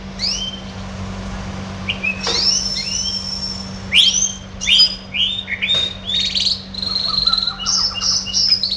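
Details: Single red siskin kept as a pet, in a lively song of bright up-slurred whistles, chattering buzzy trills and rapid twitters that grow denser toward the end. A constant low hum sits in the background.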